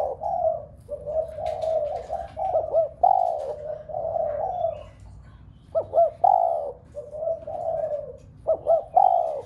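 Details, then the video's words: Spotted dove cooing to set a household flock of doves cooing: repeated phrases of short clipped double notes leading into long, soft, falling coos, cycling steadily over a low background rumble. "Cu gáy gáy thúc cả bầy cu ở nhà gáy loạn. tiếng chim cu gáy kích bổi nhanh nổi nhất. cu đất"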